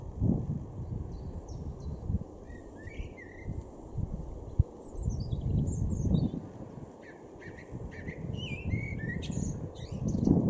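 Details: Garden robin in Weener, East Frisia, northwest Germany, recorded April 2022, delivering several short varied phrases of high trills, slides and twittering notes with pauses between them, over steady low traffic-like rumble.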